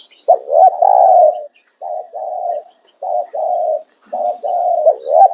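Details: Spotted dove giving its "calling" call: low, husky cooing phrases in four runs of soft rolling coos with short pauses between them, and a faint high whine near the end.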